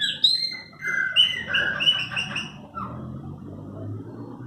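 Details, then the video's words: A household's Chopi blackbirds give loud clear whistled notes and rich chattering phrases for about three seconds, then fade out, leaving a low background hum. "Cantos, meus pássaros preto"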